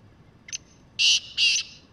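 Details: Black francolin call: a faint short note, then three loud, harsh, buzzy notes spaced about half a second apart, the last cut off.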